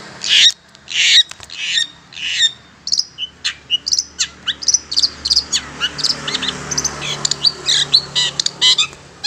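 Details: Long-tailed shrike lure sound used to draw in and trap wild shrikes: dense, fast series of sharp high chirps and scratchy notes, loud bursts at first, then rapid repeated ticks over a faint background hiss.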